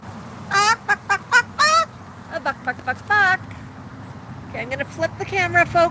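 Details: Pet Moluccan cockatoo clucking "bok bok" on a patio during a happy session: bursts of quick, rasping, harmonic clucks in short runs, with pauses between them, over a steady low background hum.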